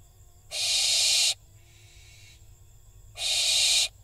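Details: Young barn owls scuffling atop their nest box in Israel on 7 July 2021, picked up by a box camera: two loud, drawn-out breathy screeches about 2.5 seconds apart, a softer hiss between them.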